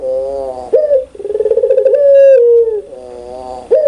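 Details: Pelung Barbary dove giving a loud, clear laughing coo: a soft wavering lead-in, then a quick pulsing roll that smooths into a sustained note and falls, ending with a rising burst.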